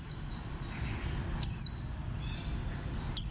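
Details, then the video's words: Warbling white-eye, green white-eye of bantam shape: two quick, piercing downslurred notes about one and a half seconds apart rise over a busy background of faint, high twittering birds. "Khuyên xanh dáng gà tre"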